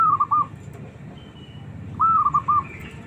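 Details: Small, combative zebra dove calling to challenge other doves to reply: two matching phrases about two seconds apart, each a high whistled coo followed by three short bubbling notes, over soft low hum.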